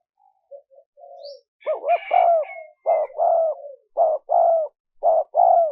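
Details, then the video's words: Spotted dove calling to lure wild doves: soft introductory murmurs build into a run of loud, hollow coos, each a short note paired with a longer falling one, repeated about once a second, with a faint thin whistle. "Tiếng chim cu gáy mp3 dùng kích bổi hiệu quả nhất"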